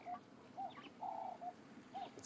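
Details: A ring-necked dove on an African afternoon safari, with elephants feeding nearby, gives mellow, mid-pitched coos: short notes around a longer drawn-out coo, repeated about every half second over a quiet outdoor background.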